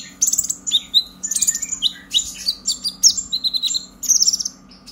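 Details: Purple-throated sunbird (konin) in energetic chattering 'ngobra emosi' style, used as a lure to get young birds singing: dense, very high twittering of quick chirps and short sweeps, almost continuous, over a faint steady low hum.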